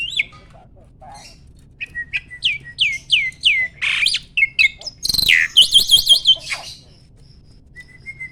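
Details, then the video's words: Mature male Asian pied starling, pumping as it sings when ready to mate: a run of short curved whistles about three per second, then a harsh burst and a fast warbling trill, before falling quiet except for one faint whistle. "BURUNG JALAK GACOR MOMPA-MOMPA!!! JANTAN TULEN."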